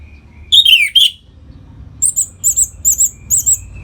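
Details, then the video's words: Orange-headed thrush singing ngeplong style to excite other caged birds toward breeding: three loud slurred downward whistles, then a regular series of six very high, thin paired notes, against a low background hum. "Suara Ngeplong ANIS MERAH Gacor Memancing Burung Agar Birahi dan Lanjut ke Tahap Teler"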